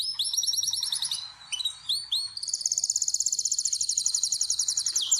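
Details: Canary song in a breeding room, birds being readied and paired for mating: a few clear rising whistles, a short pause, then a long, very fast, evenly pulsed high trill held for several seconds.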